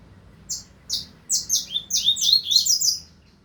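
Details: Double-collared seedeater song, 2025 season: separate high downslurred notes at first, then quickening into a dense, buzzy, twittering string of overlapping slurs before stopping abruptly.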